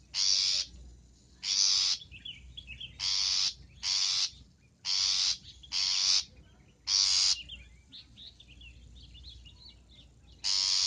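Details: Long-tailed shrike calls used for luring: nine harsh rasping bursts in an irregular series, with soft twittering and whistled notes between them and a long quieter stretch of chatter before a final rasp.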